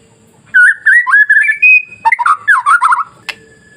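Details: White-rumped shama song for masteran training, meant to goad other shamas into singing: after quiet, a burst of rich slurred whistles rising to a held high note, then a fast warbling run ending in a sharp click.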